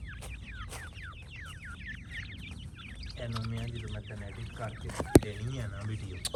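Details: A brood of francolin chicks gives rapid, high slurred peeps for the first half, then a person starts talking over the fading chirps, with a sharp click near the end.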